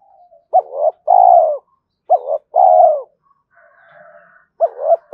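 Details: Spotted dove calling as a lure to draw other doves in quickly: low mellow coo phrases, each a short hooked note then a long falling coo, given three times with brief pauses and a faint buzzy background murmur.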